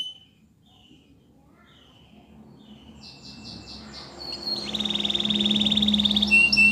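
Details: Training song from a Spanish Timbrado canary, quiet at first, then rhythmic pulsed notes building into a loud, steady metallic trill with a low hum underneath.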